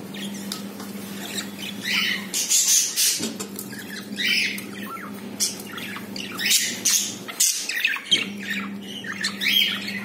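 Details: Captive budgerigars, a pair whose female has just laid her first egg: bursts of scratchy chattering and squawks between quieter spells, over a steady low electrical hum.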